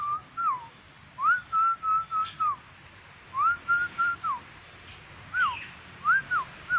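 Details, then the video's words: Black-winged myna, described as having a yellow crest, singing vigorously: clear whistled phrases that rise, hold level, then drop, given in quick bursts of three to four notes with short pauses, over a faint steady background hum. "Burung Jalak Putih gacor"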